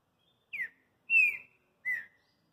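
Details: Kept green-winged saltator singing three clear whistled notes: a short falling slur, a long bright sustained whistle, then a shorter softer note, all high-pitched against silence.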